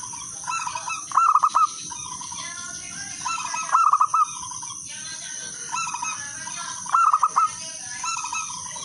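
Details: Local zebra dove in lively song, used to lure other doves into singing: three cooing phrases, each a quick run of clipped notes ending in a drawn-out tone, repeated about every three seconds over steady hiss.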